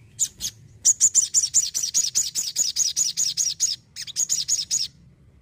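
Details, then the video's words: Energetic crimson sunbird singing a fast string of high, sharp, slightly slurred notes, with a brief break before a final short burst. "PECINTA SOGON PASTI SUKAK..SOGON ISTIMEWA YANG ENERGIK"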